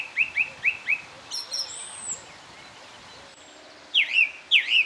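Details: A song thrush sings on a dreary winter morning at Cherry Hinton Hall, repeating a clipped two-part note four times, then switching to a loud looping whistled phrase given twice.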